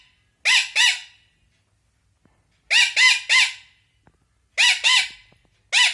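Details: Angry Indian ringneck parrot kept as a pet, scolding with raspy squawks delivered in clusters of two or three, separated by silent gaps of over a second.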